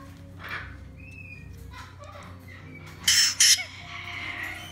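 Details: Male white-bellied caique chick about one month old, hand-fed three times a day: a few soft faint calls, then two loud, harsh, broadband squawks in quick succession over a low indoor hum.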